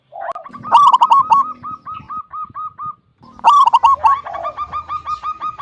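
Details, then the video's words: Local zebra dove with a large "kung" voice, singing to lure other doves: two loud, stuttering bursts, each followed by a line of evenly spaced mellow coo notes, with faint low background hum. "Perkutut lokal gacor suara besar - SUARA KUNG"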